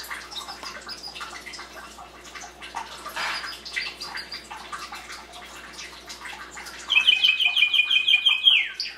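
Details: A Belgian canary singing to teach chicks to sing, 2016: several seconds of scattered chirps and a watery hiss, then a bright, rapid rolling trill of fast repeated high notes.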